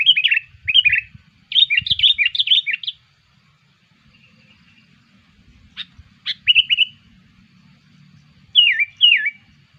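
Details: Sooty-headed bulbul calls used to lure bulbuls: two bursts of rapid chattering notes, a pause, then a short trill and two swooping downslurred whistles.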